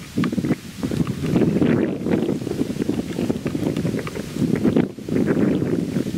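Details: Strong gusting wind roars over the microphone in heavy low rumbling bursts, with no animal voice audible.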